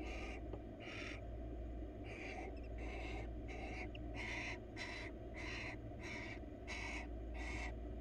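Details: Crawling female barn owl, wild, in a research nest box, seeking attention: a long run of about twelve breathy, scratchy hiss calls, quickening toward the end, over low hum.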